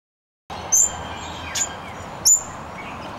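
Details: Double-eyed fig parrot, a Queensland and New South Wales species, giving three brief, very high, thin squeaky notes spaced about a second apart, over a steady hiss of background noise.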